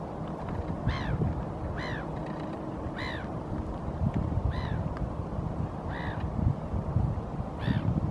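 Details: Hooded crow (Corvus corone cornix) foraging along the shoreline in Helsinki, Finland, in April 2023, giving six harsh, hoarse caws spaced about one to one and a half seconds apart over a steady low rumble of background noise.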